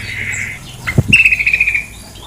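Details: Female sooty-headed bulbul making a short chattering trill of about eight pulses after a soft knock, with low background hum.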